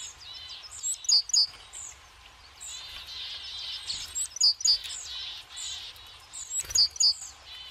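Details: On a mild, sunny winter day, tits feeding on sunflower seeds at a forest feeder call constantly: faint high chirps, with loud, ringing two-note calls returning roughly every three seconds.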